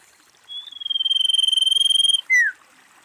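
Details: Female common iora calling, used as a lure to draw other ioras: a long, high, even trill with rapid pulses, fading in and holding steady, then a loud down-slurred whistle dropping sharply at the end.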